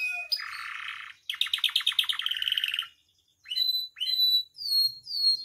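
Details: Lively canary song full of varied phrases, used as a master recording to teach and provoke caged canaries: a harsh buzzy roll, then a fast pulsed trill lasting about two seconds, a pause, and sweeping whistled notes.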